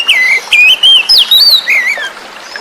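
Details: Oriental magpie-robin (kacer), wild-caught, song used to coax birds that stopped singing: rich whistled phrases that swoop, dip and rise in quick succession, with faint flowing water behind.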